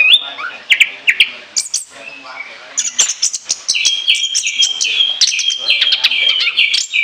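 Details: Orange-headed thrush with free, chattering song meant as a lure, starting with scattered whistles, then a steady rush of high trilled and whistled notes.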